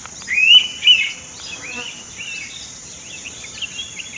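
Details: Goa, India, May 2021: an Indian pitta delivers a loud double whistle, rising first note and short clipped second, followed by softer twittering from other birds and a continuous shrill insect background.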